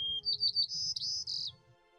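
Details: A White-crowned Sparrow, one of a small spring flock stopping at Ontario backyard feeders on migration to its breeding grounds, sings a brief high phrase: a clear whistle, then buzzy trilled notes, over faint music.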